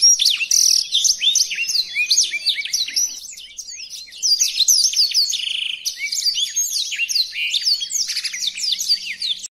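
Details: A black-throated canary (Crithagra atrogularis) sings a long, rapid, high twittering song of sweet trills, slurred whistles and chirps, almost without pause, in a tutoring recording meant to teach other birds, featuring five different song variations.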